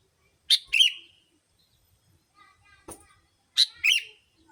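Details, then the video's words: Sooty-headed bulbul call played as a bulbul lure: two harsh, broadband double notes about three seconds apart, with a quiet click and faint chatter between. "Pikat Kutilang...!!! Suara Burung Pikat Kutilamg Masteran Paling Cocok Semua Jenis Burung Kutilang"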